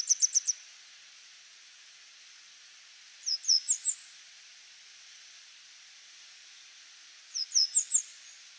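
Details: Grey wagtail on a power line, singing short phrases of four to five high, ringing notes. Phrases come roughly every three to four seconds, with faint hiss between them.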